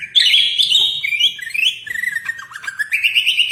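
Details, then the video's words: Greater green leafbird singing continuously in a rich, rapid medley of chirps and warbled whistles that wander up and down without pause, like a magpie robin. "Burung Cucak Ijo Gacor Suara rapet - cucak hijau Gacor rasa kacer"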